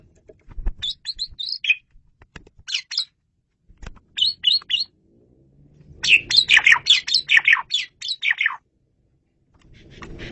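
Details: Loud, clear Asian pied starling song used for luring birds: clusters of high chattering and whistled notes in short groups, then a dense rapid burst of harsh, descending notes.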